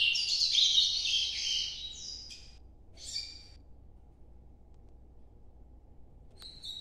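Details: Nordeste-style song of an Ultramarine grosbeak: a rich warbling phrase of about two seconds, then a short whistled fragment and a lone high note after a silence, with a steady low background hum.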